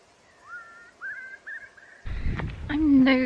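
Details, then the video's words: A Eurasian curlew calling on an autumn walk near Truro, Cornwall, gives three or four clear, rising whistled notes over two seconds, then a woman's voice talks over the end. "that was a Curlew calling."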